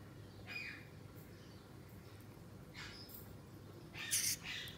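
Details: A tame, talking grey parrot chick about 9 months old gives three short, harsh, rasping squawks spaced over a few seconds against a low background hum.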